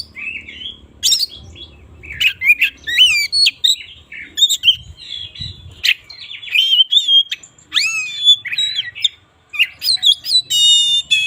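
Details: Oriental magpie-robin singing in the morning, played as a lure to get reluctant magpie-robins singing: a busy, varied run of clear whistled notes, rising and falling slurs and quick chattering bursts, ending in a rapid buzzy trill.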